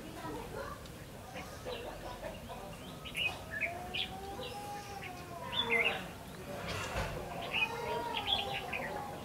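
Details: Red-whiskered bulbul giving its fighting song as a trap lure: scattered sharp chirped and whistled phrases throughout, with low drawn-out arching tones underneath and faint ambient noise.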